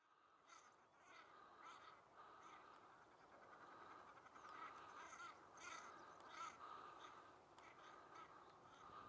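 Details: Common shelducks fighting during the mating season give harsh, nasal, rapidly repeated calls in quick bursts of more than one a second, with steady background noise.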